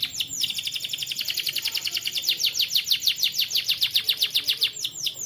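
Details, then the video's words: Young canary, recorded as training song for other birds: one sustained rapid rolling trill of repeated swept notes, steady and fairly loud throughout. "BUAT KENARI PAUD LEBIH RAJIN BUNYI"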